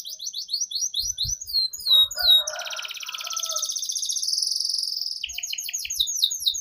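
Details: Canary song as a lure for training young canaries: quick chirp series, a long buzzy trill with some lower twittering, then renewed rapid chirps; faint low knocks.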